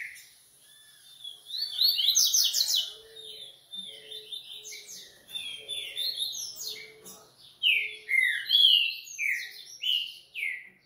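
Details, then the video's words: Breeder's Coleiro (double-collared seedeater) delivering rapid, varied song: bursts of buzzy trilled notes and quick downslurred whistles in several loud phrases separated by short pauses, with soft low ticks between. "Coleiro Artilharia e REVELAÇÃO"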